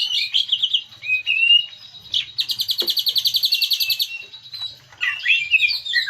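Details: Green leafbird song played as a lure to draw out filler song: quick whistled notes, a long metallic rattling trill, then tumbling twittering phrases.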